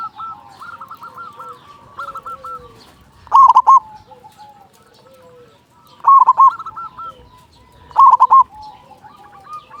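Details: Big-voiced local zebra dove singing to draw other doves into song; fainter strings of hooked coos give way to three loud rolling bursts spaced about two to three seconds apart.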